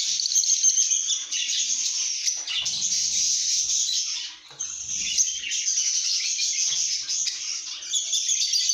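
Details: Lovebirds singing and chirping in a good mood: bursts of rapid, high squeaky chatter from a group, with a brief lull near the middle before the chorus resumes.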